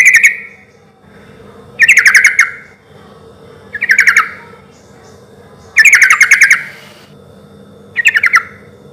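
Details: Sooty-headed bulbul singing loudly in an easy rhythm, meant as a lure to make wild bulbuls respond. Five short bubbly bursts of quick chirping notes come every two seconds, separated by quiet pauses.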